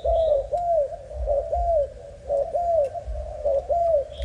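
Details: Four quick pairs of low, hollow coos from a young Malaysian spotted dove, the second note of each pair longer and gently falling, against a quiet background with faint distant chirps.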